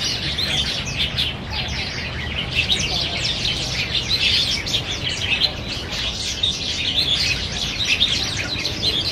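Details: A feeding flock of black bulbuls squabbling over banyan figs at Niaosong Wetland Park, 4 November 2015; continuous overlapping high chirping and twittering, rising and falling in loudness with no pauses.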